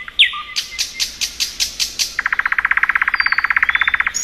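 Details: Thrush nightingale singing in spring: a sharp upslurred note, a series of loud dry clicking notes, then a fast, even rattling trill of about thirty notes lasting two seconds.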